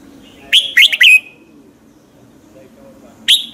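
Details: Red-whiskered bulbul's morning song, a lure for prompting other bulbuls; one fast phrase of three or four loud whistled notes, then quiet and a single note at the end.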